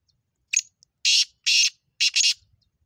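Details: Black francolin calling: a short harsh note followed by loud, grating, broadband bursts in a quick rhythmic phrase of about four or five parts, on a quiet background.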